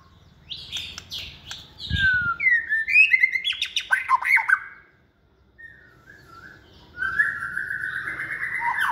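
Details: Second-season white-rumped shama, caged and raised by hand, known for many voices and competition singing. A fast, varied run of whistles and chatters is followed by a pause, then a long sustained whistled note.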